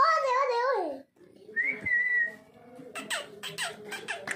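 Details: Talking pet parrots, an Indian ringneck and a macaw, give a harsh, wavering, voice-like phrase, then a thin level whistle, then a run of sharp clicky bursts in a small room.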